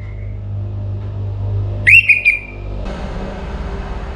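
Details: Orange-headed thrush singing before morning in Singaraja, northern Bali: one loud, clear whistled phrase that rises sharply and then stutters into two or three short notes. A faint thin tone comes before it, and low rumbling hum runs throughout.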